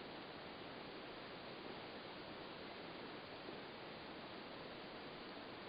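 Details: Steady broadband rushing hiss, like a stream or waterfall, fills the whole recording with no animal voices.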